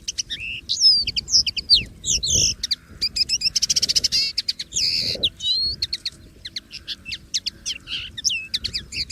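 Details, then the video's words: Free-living common linnet delivering a long, continuous twittering song of rapid chirps, trills and a fine buzzy rattle, varied and unbroken for over nine seconds, with faint low background rumble. "CANTO DO PINTARROXO Comum LIVRE na Natureza!!!"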